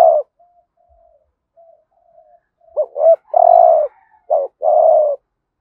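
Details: Urging coo of a spotted dove kept as a lure for wild doves, hạp bổi style: end of one coo, soft low murmurs, then two swooping notes and a long burry coo, followed by another short note and coo.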